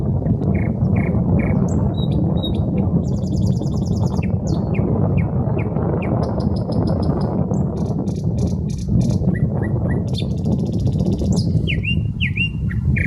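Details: In a city park on the Smolenka, Saint Petersburg, a common nightingale runs through varied phrases: repeated whistled notes, buzzy high rattles and rising slurs, against steady low roar of traffic.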